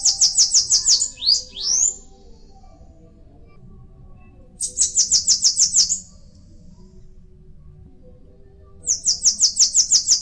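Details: Purple-throated euphonia, known locally as vim-vim de coqueiro: bursts of rapid, very high, thin piping notes, about ten per burst, coming roughly every four seconds, the first followed by two quick rising slurred notes; a faint low hum underneath.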